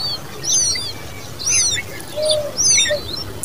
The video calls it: Common babbler birds babies with sound